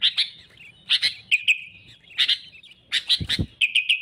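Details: Sooty-headed bulbul, used as a lure to draw rivals for trapping, giving sharp clipped chirps followed by short level whistled notes, with pauses of about half a second between phrases.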